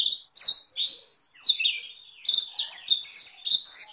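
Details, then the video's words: Canary masteran song with Blackthroat-style rolls for tutoring canaries and Oriental magpie-robins; separate bright whistles after short silences, building into faster trilled rolls at the close. "Masteran Kenari Durasi Panjang dengan Variasi roll Blackthroat"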